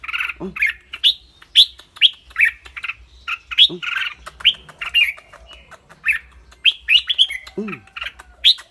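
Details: Clear-voiced caged red-whiskered bulbul in a lively, rapid sequence of chirpy whistled notes repeated steadily, with occasional low downslurred squawks in between.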